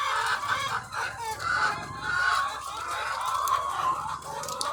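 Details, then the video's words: Thousands of egg-laying hens on a farm, a loud continuous murmur of clucks punctuated by rising, drawn-out cackles from individual birds. "The Sound of Thousands of Egg-Laying Chickens"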